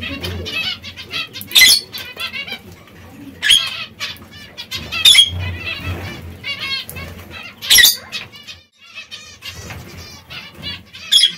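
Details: Captive zebra finches pecking at seeds and fresh lettuce give short nasal buzzy calls in scattered loud bursts, with several overlapping chirps and wing flutters, over a steady low hum.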